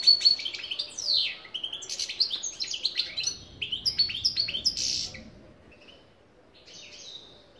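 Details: Goldfinch song: a rapid, jangling run of high, twittering and tinkling notes lasts about five seconds, then fades to near silence with one last faint phrase.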